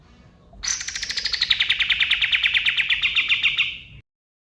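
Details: Male white-eye (kapas tembak) at dawn, natural forest voice used to train songbirds: a sharp, rapid trill of about twenty pulses sliding steadily downward over three seconds, then silence.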